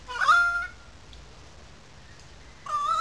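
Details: Currawongs calling loudly above the wetlands in Sydney Park, Sydney: a loud ringing whistled note, silence for two seconds, then another similar whistle begins.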